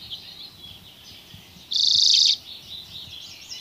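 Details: Dozens of common redpolls foraging on alder cones in Haren in 2024; high buzzy, twittering flock chatter with one louder, harsh buzzing burst of about half a second midway.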